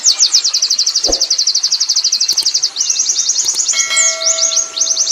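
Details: Wild Oriental white-eye (pleci ngalas) in ngerol style: a rapid, even stream of high chipping notes rolling on without pause, interrupted by a dull knock early on and a ringing bell-like chime near the end.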